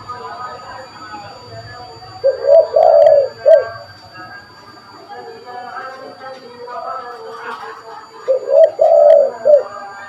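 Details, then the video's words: Spotted dove call used for luring birds: two soft, low cooing phrases about six seconds apart, partly blended with talking and background noise between them. "Burung tekukur gacor pas buat pikat burung"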